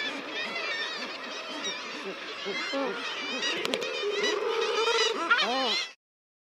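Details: Common Guillemots crowing in a dense seabird colony, a constant overlapping chorus of harsh, rolling calls, with a Razorbill growl, kittiwake cries and rock pipit calls mixed in.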